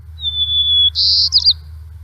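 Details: White-crowned sparrow (Zonotrichia leucophrys) song: a long, pure whistled note held steady, then a brief burst of buzzy, jumbled trills at the end.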